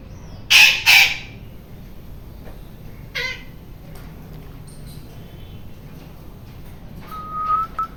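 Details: Noisy rose-ringed parakeet giving loud, harsh screams: two quick shrill bursts close together, a fainter third a couple of seconds later, then a short thin whistled note near the end.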